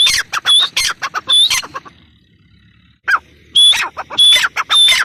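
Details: Female grey francolin uttering high, piercing whistled notes in bursts, with a silent pause of about a second and a half between two bouts of rapid calling.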